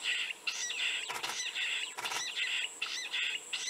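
Jungle Bush Quail giving high, squeaky, rapidly repeated call notes, with two brief bursts of broadband rustling or wing noise.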